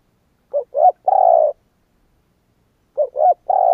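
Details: Spotted dove calling in a quiet setting: two quick soft coos, then a drawn-out, vibrating purr lasting half a second. The phrase is repeated after a pause of about one and a half seconds.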